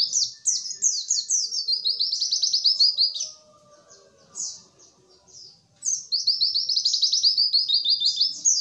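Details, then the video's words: Lure recording of white-eye song meant to prompt birds that sing little to start and copy: a fast, high, chattering phrase of slurred chirps, a near-silent gap with a few scattered notes, then another long, rapid twittering run. "pancingan pleci malas bunyi"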